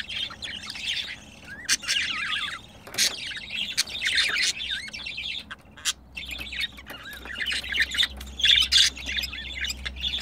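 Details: Two pet budgerigars while mating chatter in long scratchy warbles with looping whistled squeaks, broken by clicks and brief pauses, over a low hum.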